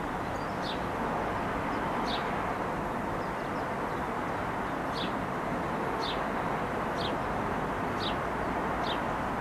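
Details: A male house sparrow on a roof gives short, bright chirps, one every second or so, calling to bring another male sparrow, over a steady traffic-like rumble and hiss.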